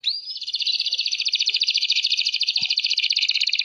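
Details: Canary song used as a training recording, a rapid continuous trill of buzzy notes between roughly two and seven kilohertz, opening with a short rising whistle and pulsing about three times a second, with faint low clicks.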